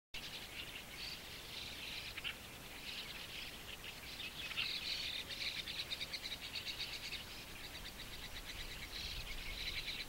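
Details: White-cheeked starling fledglings with pale plumage begging as parents or helpers bring caterpillars beside a shallow waterhole in Japan, early June 2015: continuous harsh, raspy, buzzy calls in pulsing bursts, louder around the middle.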